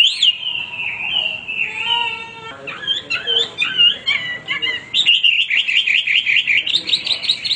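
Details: Hwamei giving a long, sliding whistle, then varied warbled notes and a fast, wavering trill of repeated whistles.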